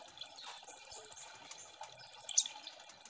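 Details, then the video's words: Ombyokan chorus of kolibri ninja sunbirds used as lure song. A very high, rapid trill of tiny ticks opens, followed after a pause by another quick run of sharp chips, somewhat faint. "Pancing Bunyi Burung KOLIBRI NINJA Ombyokan Agar Cepat Gecor"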